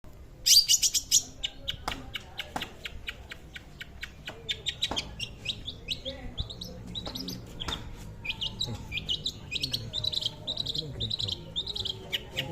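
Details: Long-tailed shrike song kept as a vocal tutor for other birds: bursts of high sharp chirps and clicks, varied and scratchy, with a loud buzzy opening phrase, over a low background hum.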